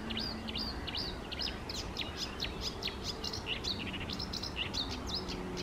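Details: Eurasian reed warbler singing at small lakes on a lovely morning, 28 May 2024: a fast, unbroken chatter of short scratchy and chirping notes, several per second, with a low steady hum beneath.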